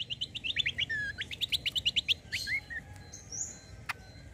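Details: Kecial kombo white-eye lure song: a quick, twittering sequence of short high notes with slurred downward inflections, over steady background hiss, ending in a couple of drawn-out whistled notes.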